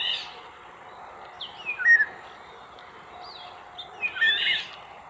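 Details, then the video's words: Eurasian golden oriole, an exhausted bird resting on a sailboat heading for Île d'Yeu, France: short fluting whistled phrases with sliding notes, a louder burst near the start, middle and end, over a steady low hum. "LORIOT D'EUROPE, cri et chant, mâle et femelle"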